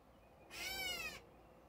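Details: Catbird heard earlier in the day, giving a single harsh, cat-like mew of about seven-tenths of a second, nasal and slurred, over a quiet background.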